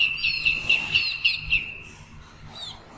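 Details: A young yellow goose gives a quick series of thin, high peeps, about four per second, for under two seconds, then quiet background hiss.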